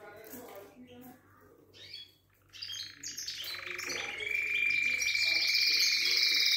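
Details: Syrian canary: mixed quiet chirps and murmur at first, then a loud sustained high rolling trill builds and holds steadily to the end.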